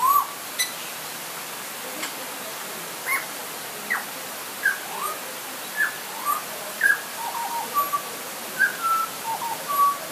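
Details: Butcherbird in light rain giving short, clear whistled notes, some rising and some falling, repeated at irregular intervals over a constant rainfall hiss.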